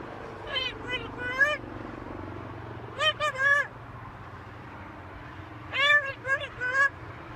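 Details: A pet talking macaw on a balcony gives three short bursts of hoarse, speech-like syllables a couple of seconds apart, over a low background hum.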